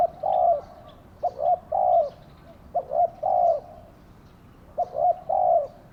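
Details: Caged spotted dove used as a lure bird to draw in wild doves, cooing in deep, mellow phrases: two quick short notes then a longer drawn-out coo, about four phrases repeated every second or so.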